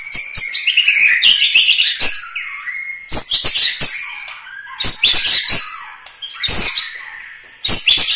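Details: White-rumped shama from Medan Bahorok, Bukit Lawang, singing loud bursts of rich warbled phrases with sharp clicks, separated by short pauses, each burst sliding from high chatter into lower whistled notes.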